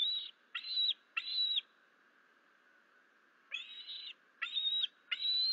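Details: Adult male eagle arriving at its nest at Fort St Vrain on 28 August 2024, calling before grabbing leftover food and flying off; high, thin piping notes in two bursts of three, separated by a pause of about two seconds.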